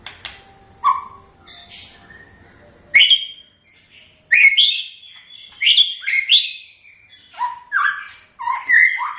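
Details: Characteristic song of the white-rumped shama: separate bursts of loud whistled phrases, each a quick mix of rising and falling notes, separated by short pauses.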